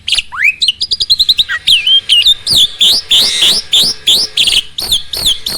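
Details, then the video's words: Starling song used to make other birds compete in singing; a rising whistle, a quick series of clipped high notes, then loud rhythmic chattering phrases repeated about three times per second. "MASTERAN BURUNG JALAK AMPUH!!!"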